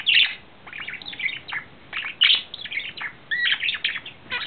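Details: Male budgerigar in love, courting, April 2009, singing in short bursts of scratchy chirps and clicks about every half second, separated by quiet gaps, with one clear rising whistle.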